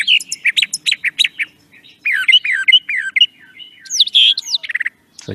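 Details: Brown Thrasher song played back, a mimic that repeats each phrase two or three times before moving to a new one: rapid chirped and slurred phrases, doubled and tripled, ending with loud rising whistled notes.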